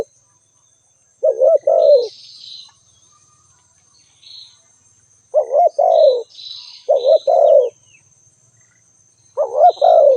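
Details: Spotted dove calling: repeated low cooing phrases, each a short wavering coo followed by a longer falling one, spaced a few seconds apart, over soft high chirps from other birds and a constant thin whine.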